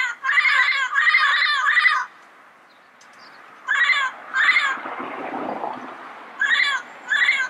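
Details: Yellow-headed parrot calling in its natural setting: a fast run of three loud raucous squawks, a brief lull with low rustling, then paired harsh calls.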